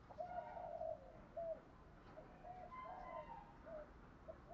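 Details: Spotted dove used as a decoy, giving thúc gù cooing meant to rouse other doves: faint low hollow coos, one long drawn note then shorter spaced coos, over steady background hiss.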